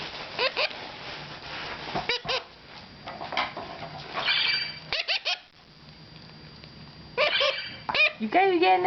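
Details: Hand-fed baby mustached parakeets eating oatmeal, recorded April 22, 2009: scattered clusters of short, sharp beeps and squeaks separated by quiet pauses, with soft background music and a person talking to them.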